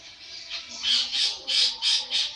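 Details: Long-tailed shrike, a young bird 80 days old, in full song: a run of loud harsh rasping notes, about five bursts in quick succession, each swelling and fading.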